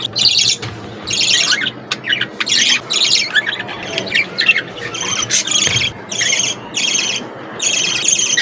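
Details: Several budgerigars playing together in an aviary give bursts of scratchy, squawking chatter, high and buzzy, in clusters roughly every half second to second with short pauses, over a faint low background hum.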